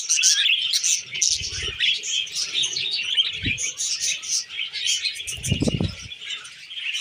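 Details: Tame budgies at a meal of wheat germ warble and chirp continuously in a high, jumbled chorus, with three brief low bumps from movement scattered through the recording.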